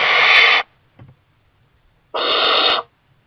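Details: A young barn owl occupying a kestrel nest box, fed mice by its parents, gives two short rasping hisses under a second each, separated by a quiet gap with a faint tap.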